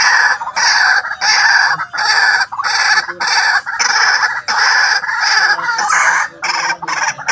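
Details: White-breasted waterhen calls played to lure birds: loud, harsh, nasal notes repeated about one and a half times per second in a steady series, each note roughly half a second long, with no other clear sounds.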